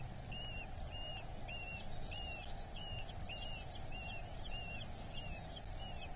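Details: Eurasian hobby chick begging while fed at its nest in Dorset, 8 July 2024: a steady run of shrill, down-curving whistled notes, roughly two per second, with constant low hum beneath.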